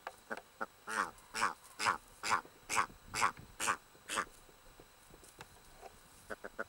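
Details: Red grouse (Lagopus lagopus) in the Cheviots, calling while defending a nest nearby: a loud run of harsh, croaking barks repeated about twice a second, each note rich in stacked tones, then a burst of quicker, shorter clicks.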